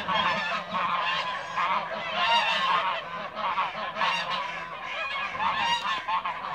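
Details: Several Toulouse geese in a backyard give a busy chorus of overlapping nasal honks, rising and falling in loudness.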